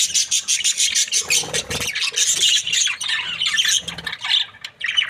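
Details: Australian budgies in a happy breeding pair keep up dense, busy high chirping and scratchy warbling throughout.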